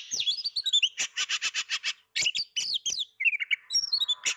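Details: Unseen Oriental magpie-robin singing: a descending whistled phrase, then a rapid series of about ten identical staccato notes, followed by scratchy chatter and looping whistles.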